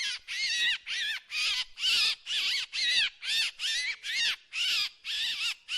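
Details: Drongo repeating coarse, buzzy notes about twice per second, each with clear arching overtones, even and insistent, with no other sounds.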